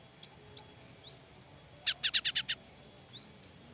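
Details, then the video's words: Frightened Java sparrow giving alarm calls: a rapid burst of six sharp, bright chip notes near the middle, with soft thin upslurred tweets scattered before and after. "Suara Gelatik Batu Ketakutan"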